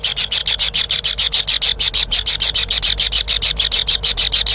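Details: Kingfisher chicks in the nest, impatient as they wait for a parent to bring food: a rapid, even train of harsh buzzy pulses, roughly three per second, with steady low background hum.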